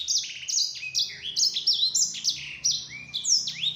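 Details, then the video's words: Yellow-fronted canary, used as a lure song to prompt other canaries to answer, in a fast, unbroken song of high whistles, bright trills and quick up-and-down slurred notes, with no other sounds. "Suara Burung Sanger Ampuh Untuk Pancingan, Bikin Sanger Lain Nyaut"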